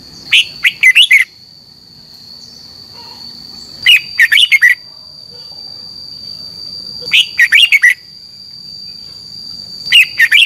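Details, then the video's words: Red-whiskered bulbul's morning competition song, played to spur other birds to sing: four bursts of five or six fast, bright whistled notes, repeating about every three seconds over a strong steady high tone. "Luyện chào mào hót sáng - chào mào hót đấu"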